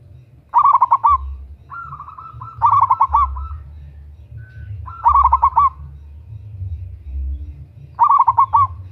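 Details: Loud, persistent lure calling of a female local zebra dove calling a male: four rolling phrases of rapid, pulsed coo notes, about every two and a half seconds, some with a smooth sustained lead-in, over a steady low rumble.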